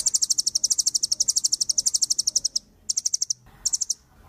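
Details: Velvet-fronted nuthatch (rambatan paruh merah) giving a very high, rapid dry trill of evenly spaced ticking notes, broken by two short pauses before resuming in shorter bursts.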